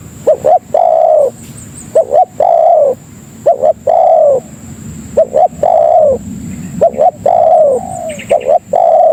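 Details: Tekukur lure call from a spotted dove, meant to call other doves in: a rhythmic series of short double hoots, each followed by a longer descending coo, with a high whine and a brief faint chirp.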